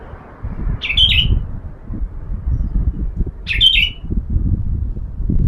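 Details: Sooty-headed bulbul in sunning therapy, kept as a lure for other birds. It gives two brief chirpy bubbling phrases roughly two and a half seconds apart over a steady low rumble.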